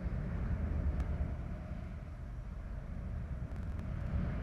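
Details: Steady low rumble, like wind or distant traffic, with a couple of faint clicks and no animal calls.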